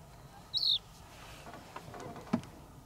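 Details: Mediterranean (lesser) short-toed lark, subspecies polatzeki, sitting close at El Jable, Lanzarote, Spain, on 28 December 2021: a single short, high, slightly buzzy chirp, followed by faint clicks and a soft thump against low background rumble.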